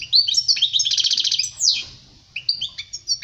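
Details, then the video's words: European goldfinch song for tutoring young birds: a fast tinkling twitter leading into a rapid buzzy trill of repeated notes, a downward slurred note, then short scattered chirps. "Chant chardonneret pour les jeuns لتعليم صغار طائر الحسون"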